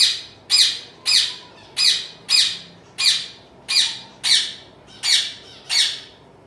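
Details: Indoors, a home-bred young zebra finch repeats one buzzy, nasal squawk roughly every half second, ten times in a steady rhythm, with no other sounds.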